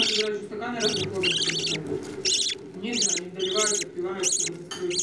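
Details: Budgerigar chicks begging as parents feed them: about nine rough, buzzy bursts mixed with lower nasal warbles and chatter throughout.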